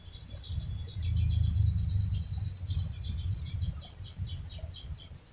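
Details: Canary in full, vigorous long rolling song, used as a lure to prompt other canaries to sing; fast high chirping notes repeated in a steady trill, over a persistent low rumble of background noise.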